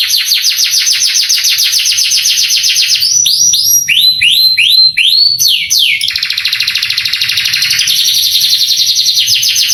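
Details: Canary song used as masteran to excite young canaries into singing: a rapid trill, then a run of slow arched swooping notes, then a continuous dense buzzing trill.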